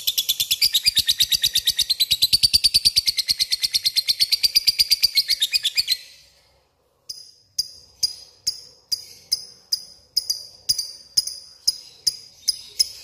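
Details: Lovebird calling a rival: six seconds of rapid grating chatter, a brief silence, then spaced sharp single chirps repeated about every half second.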